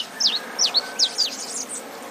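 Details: Saffron finch singing as rain falls: high, clipped notes that slide sharply downward, some in doubled pairs, then running together into a thin chattering trill, with soft rain noise throughout.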